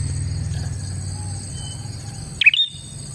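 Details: Bar-winged prinia lure song: one bright, high downslurred chirp and a brief whistled tail, coming after a stretch of quiet low hum, with faint thin tones in the background.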